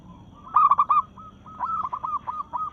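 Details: Local zebra dove in breeding condition, singing to challenge rivals: a loud, stuttering triple coo, then a quieter chain of five or six short, clipped cooing notes.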